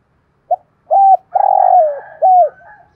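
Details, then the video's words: Spotted dove kept as a decoy, its "thổ" style voice used to stir wild doves into calling. The phrase is a brief lead note, a level coo, a long buzzy falling coo and an arched final coo, with a faint trailing murmur. "Chim Cu Mồi, cu gay giong tho cuc dinh"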